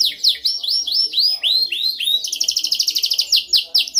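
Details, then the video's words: Dominant canary song used for training: a run of swooping, downward-curving whistles repeated about five times a second, then a fast, dense metallic trill. "Canção mais dominante de canary para treinagem."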